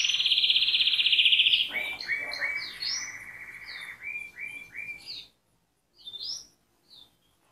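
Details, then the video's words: Canary song opening with a loud, rapid, high trill, then a string of repeated descending slurred notes that fade into a few isolated chirps with silence between. "غناء الكناري|Canary singing|Canarias cantando|Kanarie sjunger|Kanarya şarkı söyleme"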